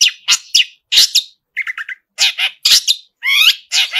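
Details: Long-tailed shrike singing hard with a song packed with borrowed phrases: rapid harsh chattering notes, a stuttering buzzy trill, then a rising slurred whistle among grating calls.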